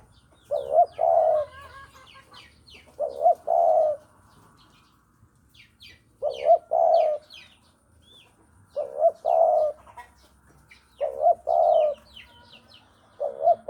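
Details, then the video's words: Javan spotted dove used as a trapping lure, cooing steadily: five two-part phrases about every two seconds, each a quick rising hook then a drawn-out mellow coo, over scattered high chirps of other birds. "Pancingan Derkuku Jawa"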